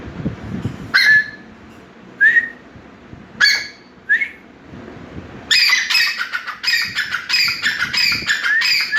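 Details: A black francolin in the Kalabagh jungle, Pakistan, during its March–May mating season, calling and fighting over a female, gives loud, ringing, harsh calls every second or so, then a fast run of grating notes.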